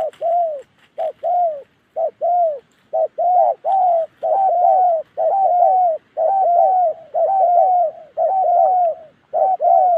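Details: Spotted dove, a Đồng Ngực Chẻ bird from Gia Lai in Vietnam's Central Highlands, coos steadily. Quick paired notes, a short clipped one then a longer falling one, come about once per second without break.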